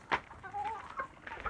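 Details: Village hen from a backyard henhouse, giving a short sharp note followed by soft, level, slightly wavering tonal clucks with quieter calls at the end.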